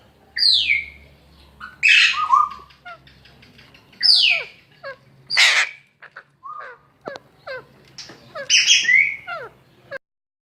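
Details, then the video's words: Young Alexandrine parakeet being cared for at a Lalukhet Sunday market: loud, harsh, downslurred screeches repeated every second or two, mixed with short clicking notes and softer squeaks. "Alexandrin parrot baby care"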